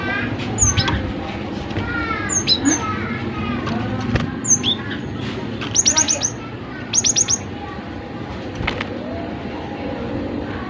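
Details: Cinereous tit singing eagerly, recorded to prompt other tits to sing: loose high chirps, then two rapid runs of four or five piercing, very high notes in quick succession against a constant low background rumble.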